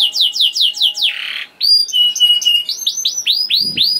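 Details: Young canary singing to stimulate other canaries to sing: quick repeated sweeping high chirps, a brief buzzy rattle and short pause, then bright rolling trills of repeated downward-curving notes, with a faint steady hum underneath.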